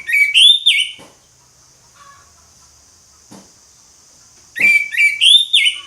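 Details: Ngeplong song of an orange-headed thrush: a short run of clear slurred whistles, then a silence broken by faint clicks, then another similar whistled phrase.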